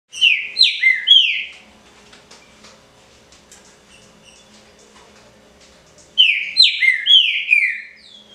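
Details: Green-winged saltator (trinca-ferro) singing the pixarro original song style: two bursts of loud, rich whistled slurred notes, falling and rising, about a second each, separated by several seconds of quiet with faint low hum.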